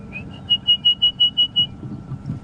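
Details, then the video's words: Orange-breasted bushshrike heard on a sunrise safari drive, 17 September 2015: a lower opening note followed by about eight clear, pure whistles at a steady pitch, evenly spaced, over faint low background rumble. "can hear an orange-breasted bushshrike."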